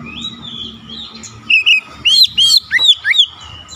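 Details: An agitated Oriental magpie-robin sings back at a rival kacer after a quiet, murmuring start, with a quick run of bright, swooping whistles and twisting chirps that rise and fall.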